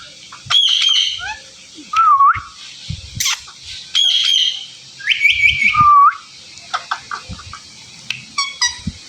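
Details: Talking Indian ringneck parakeet kept as a pet. Bursts of chirps alternate with clear whistled notes, some dipping then rising and one flat and held, repeated every second or two with quiet gaps between.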